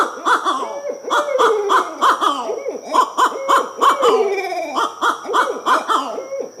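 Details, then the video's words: Barred owls (Strix varia) give a wild, rapid run of cackling, gobbling hoots with sliding, laugh-like notes, several bursts each second and hardly a pause. "Barred owl sounds, barred owl hooting"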